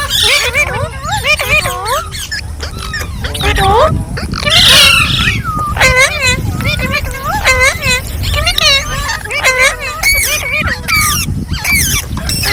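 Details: A lively group of green parrots talking, with dense overlapping chatter, sharp squawks and repeated upward-swept calls throughout, over steady low background noise.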